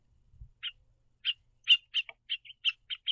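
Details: {'_': 'A House finch pair perched at a backyard platform feeder, hopping on and off the perch and chirping to each other; short bright chirps repeated about every third of a second, with faint low thumps near the start.'}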